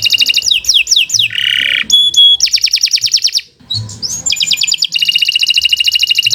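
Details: Canary singing a long continuous song for use as a tutor recording: rapid downslurred whistles, buzzy trills around mid-high pitch, a harsh low rasp, then fast metallic rattling trills repeated steadily.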